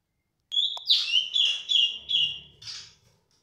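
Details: Female cungkok, caged, calling loudly and nonstop: a sharp click, then a strong high whistle breaking into five quick, bright notes at an even pitch and ending in a rougher, buzzy note. The background is quiet.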